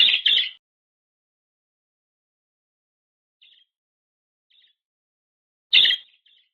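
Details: Lovebird chirping: a pair of short, bright, buzzy chirps at the start, a long silence with two faint high notes, then another sharp chirp near the end.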